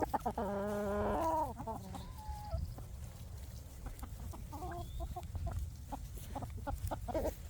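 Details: Free-range farm chicken searching for bugs gives a drawn-out, nasal, tonal call at the start, followed by a short whine and then a run of irregular soft clucks over constant low-pitched farmyard rumble.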